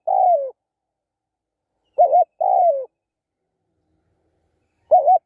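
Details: Spotted dove cooing steadily: a long falling coo, then two-part phrases made of a short wavering note and a longer descending note, spaced roughly three seconds apart in quiet surroundings.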